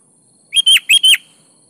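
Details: Kutilang, the sooty-headed bulbul, singing energetically as a lure for reluctant birds: silence, then a crisp four-note whistled burst with alternating short and longer notes that drop in pitch at their ends, and quiet afterwards.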